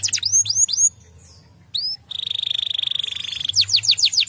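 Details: Canary answering another canary: a few descending sweeps, a brief pause, then a sustained steady high buzzing trill held for over a second, closing with quick swooping notes.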